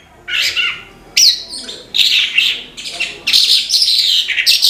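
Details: Horsfield's bush lark (branjangan) in active song: sharp high whistled notes and scratchy twittered bursts, starting and stopping every second or so, and growing denser toward the end.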